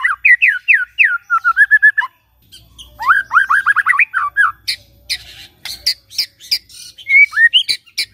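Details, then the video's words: White-rumped shama morning song used to rouse a silent bird: rapid rising whistled notes in series, then harsh raspy bursts and squawky notes mixed with sharp clicks and a few clear whistles. "Pancingan PAGI-PAGI AGAR MURAI GACOR❗sekali coba murai DIAM langsung bunyi"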